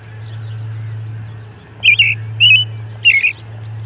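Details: An American robin sings three quick, warbled caroling phrases about half a second apart near an osprey nest on June 10, 2020, just before noon, over a steady low hum and faint hiss.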